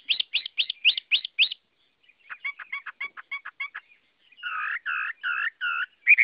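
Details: Chinese hwamei (Garrulax canorus) song with three distinct phrases: six rapid sharp notes, a quick chattering trill, then four slower harsh, buzzy notes.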